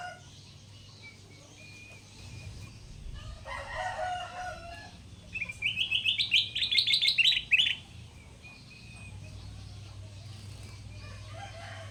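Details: Tamed, wild-caught Sooty-headed bulbul kept as a lure bird: a brief lower rough sound, then a burst of fast, evenly spaced high chirps lasting about two seconds, with a faint background hum.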